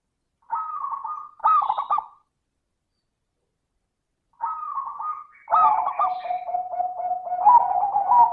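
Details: Crystal-toned zebra dove song as a singing lure: two phrases of trilled coos ending in bubbling rolls, the second running on into long rapid pulsed cooing.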